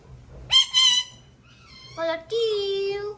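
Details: Male parrot calling to his partner: two loud, harsh, rapid squawks, then a short wavering tone and a longer, steady, lower-pitched hum-like note trailing off.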